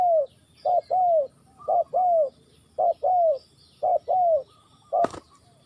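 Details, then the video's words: Spotted dove recorded in Ninh Thuận, Vietnam, repeating soft double coos, a quick note then a longer falling one, about five pairs, ending with a sharp click or knock. "Cu gáy Ninh Thuận"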